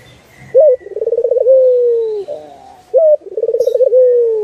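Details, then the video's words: Barbary dove song used as a master recording for training birds: two low cooing phrases, each a short upslurred note, then a rapid rolling pulsed coo and a long smooth falling hum, repeated about every two and a half seconds. "Masteran Burung puter"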